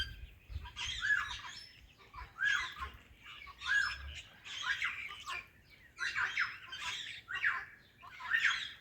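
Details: A talking ringneck parakeet greets an alexandrine parrot with harsh, raspy, speech-like squawks in short bursts roughly every second, over a low hum.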